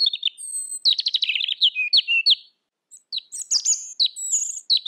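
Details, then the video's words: Robin song used as a training recording for cage birds: a fast, varied stream of high chirps, slurred whistles and quick trills, pausing briefly before resuming, with no other sounds standing out. "Suara Kicau Burung Robin"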